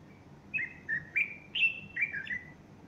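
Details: On a Sunday morning, 30 August 2015, a bulbul sings while a female beside him fluffs her feathers; a flowing series of about six bright slurred whistles, evenly paced over two seconds.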